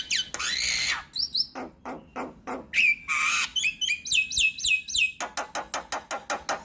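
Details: Javan myna trigger and tutor song for mynas: high swooping whistles and a rasping squeal, then sweeping whistled phrases and fast rhythmic clicks at the end.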